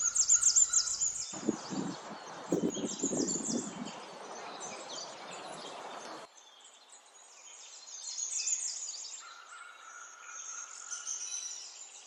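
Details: Springtime songbirds in the wild: high chirping and twittering throughout, a thin level whistle at times, with a loud low rustling or wind-like noise covering the first half.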